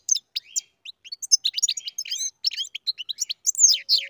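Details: Captive-bred European goldfinch singing: a rapid, high tinkling stream of thin twittering notes and quick trills, densely packed and jumping in pitch, with a faint low tone near the end.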